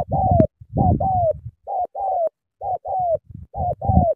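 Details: Cà Mau spotted dove cooing hard: paired notes, a short hoot then a longer coo that slides downward, repeated steadily with brief gaps and some low knocking.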